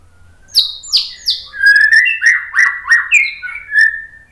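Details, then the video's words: White-rumped shama masteran meant to provoke other birds into song: three falling high whistles, then about eight rich, slurred, mellow notes at a lively pace. "MASTERAN MURAI BATU biar EMOSI NYAUT jadi GACOR BONGKAR MATERI TEMBAKAN ¦ PANCINGAN MURAI"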